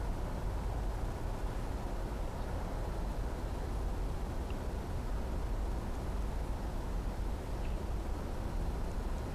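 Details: Low, continuous rumble of distant traffic fills the scene, with no animal calls standing out.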